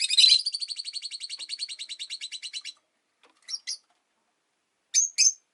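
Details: Caged rosy-faced lovebird chirps in a fast, even, twittering series of short notes lasting nearly three seconds and gradually softening, followed by two spaced pairs of sharp squeaks; five pet birds share the cage.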